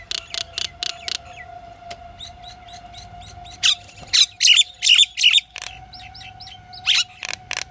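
A pied myna gives a varied run of harsh, rasping bursts mixed with short, bright whistled notes, several per second. A faint steady hum runs underneath.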